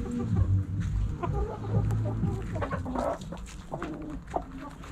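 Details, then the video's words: Backyard chickens in a coop, hens clucking in low, irregular bursts over a steady low hum, with soft scattered calls and rustling throughout. "Backyard Chickens In The Coop Relaxing Video Sounds Noises Hens Clucking Roosters Crowing!"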